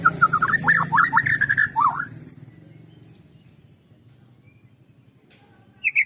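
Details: White-rumped shama song played as a lure to stimulate other birds to sing: a two-second burst of rapid whistled and slurred notes, then near silence over a low hum, with a brief high phrase at the very end.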